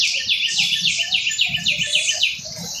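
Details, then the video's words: A canary delivers a fast, even trill of high, slightly buzzy repeated syllables, roughly eight per second, sustained steadily throughout with a light low background murmur. "trino de canario"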